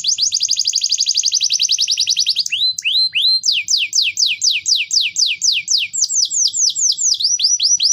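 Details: Canary lure song: a fast rolling trill of high rapidly repeated notes, then slower series of high downward-sweeping whistled notes at a steady pace, with brief high chips between.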